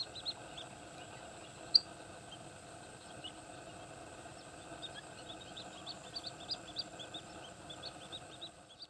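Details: Resident Paddyfield pipit at Candaba wetlands, Pampanga, Philippines, on 11 September 2009, giving short, high chirped notes at an irregular pace, over a steady hum of insects and faint outdoor background.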